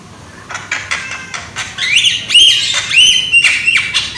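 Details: A young Javan myna with a strong voice opens with sparse clicks, then pours out loud, ringing whistles that slide and waver, cut by harsh rasps.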